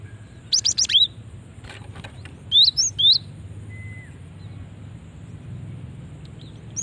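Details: Cinereous tit female call for luring other tits: a quick burst of sharp, high chirps, then three separate upward-flicking notes, followed by quiet with a faint low background hum.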